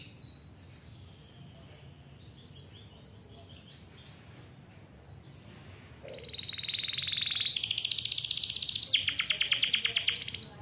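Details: Canary song played as a lure for young or silent canaries: soft scattered high twitters at first, then from midway a loud, fast, steady rattling trill broken by short switches of pitch.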